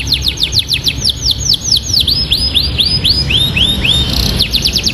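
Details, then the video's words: Atlantic canary with a ciblek-style song filling. Quick descending whistled notes slow into longer arched slurs, then a fresh burst of fast sweeps at the end. Low background hum underneath. "KENARI ISIAN MEWAH SUARA KENARI ISIAN CIBLEK GACOR"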